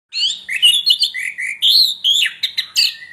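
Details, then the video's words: Orange-headed thrush, called anis merah tengleng, singing a loud, dense run of varied high warbled and whistled phrases, with quick slurred notes jumping and falling in pitch, several short bursts in close succession. "Anis Merah Tengleng"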